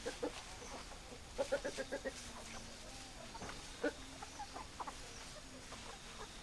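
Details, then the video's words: Hens clucking softly: a quick run of five or six clucks, then sparse single clucks spread through the clip over a faint continuous hum. "Chicken Sounds Noises Hens Clucking Roosters Crowing"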